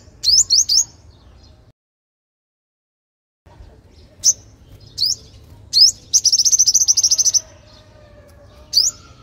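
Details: Sunbird song used to lure young wild birds: scattered very high, thin rising chirps in small groups, plus one fast buzzy high trill lasting about a second, with a quiet background hum.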